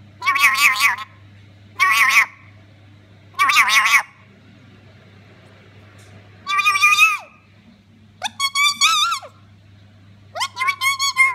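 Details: A female black-capped lorikeet mimics a cat with six drawn-out, nasal meows, spaced about every one to two seconds. The later meows sound more wavering and stuttered.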